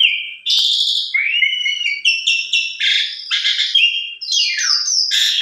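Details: A full-variation lure song from an Asian pied starling, used to make other starlings join in: clear whistles give way to sliding, rising notes and stepped metallic phrases, with harsh buzzy bursts toward the close.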